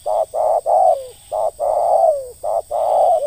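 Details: Spotted dove in ngeruk calling, used for luring wild birds: rapid run of rough, throaty coos, some ending in a falling drawl, nearly continuous, with a thin high electronic tone behind.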